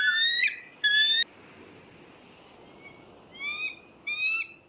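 Bald eagle giving thin, high whistled notes: two bright, piping bursts in the first second, then a few softer slurred whistles near the end.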